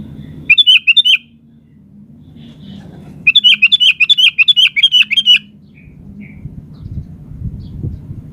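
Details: Sooty-headed bulbul in full, prolific song, used to provoke other birds to answer: two bursts of rapid, bright, bubbly chirping notes, the second lasting about two seconds, over a low steady hum.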